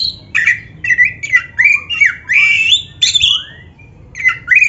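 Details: Caged-bird training song of a black-breasted Oriental magpie-robin: varied chattering phrases mixing harsh squawks, buzzy notes and slurred whistles, one long warbled phrase in the middle, continuing almost without pause.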